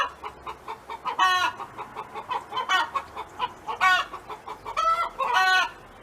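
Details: A neighbor's hen sings on a farm. Quick, evenly spaced clucks lead into five harsh, stretched squawks bunched in the second half, the last two close together.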